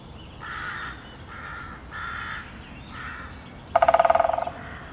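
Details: Pileated woodpecker drumming on a tree: a quick, decelerating burst of hollow taps near the end. It is preceded by four hoarse, cawing calls from another bird spaced about a second apart.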